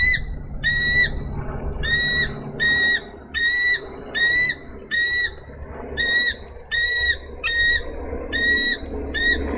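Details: Nesting female bald eagle in Minnesota, 3 May 2013, impatiently calling her mate to relieve her at the nest. A long run of about a dozen short, high, squealing notes, some doubled, is repeated briskly over low rumbling background noise.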